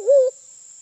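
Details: Sulawesi black pigeon, a forest dove of Sulawesi, heard as a lure call: one short hollow coo that swells quickly, holds level and cuts off after about a quarter second, then a thin constant high hiss remains.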